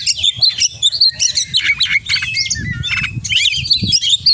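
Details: Kacer, the oriental magpie-robin, singing hard in 'full isian' style: a dense stream of short whistled and chirped phrases, bright upslurs and downslurs with a few buzzy notes, over a steady low hum.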